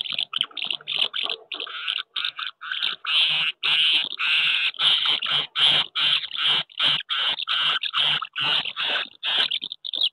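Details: Courting house martins at nests on a wooden house, May 2023, searching for partners and contesting the best nest sites: a dense, rapid stream of dry, buzzy chirps and twitters, nearly unbroken throughout.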